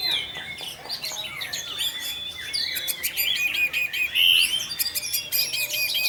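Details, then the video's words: Orange-headed thrush 'teler' lure song for drawing other thrushes into singing; a continuous, lively medley of high whistles, fast trills and clicking notes, with a bright sustained whistle near the end. "Pancingan Burung Anis Merah Tarantula Anis Merah Teler untuk penggoda anis lain agar ikut teler"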